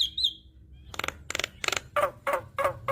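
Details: Javan myna song: a brief high wavering whistle, then a run of loud harsh rasping bursts repeated roughly every third of a second, with low background hum.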